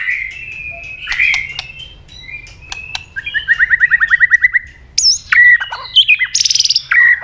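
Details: White-rumped shama giving fighting song meant to provoke a rival, with double-note tail clicks; varied phrases of whistles and chirps, a fast trill of about fifteen even notes, then loud sharp high whistles and a buzzy burst.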